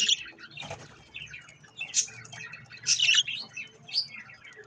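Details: Budgies eating strawberries; chattering chirps and squeaky warbles in uneven bursts, a loud cluster around three seconds, background low hum.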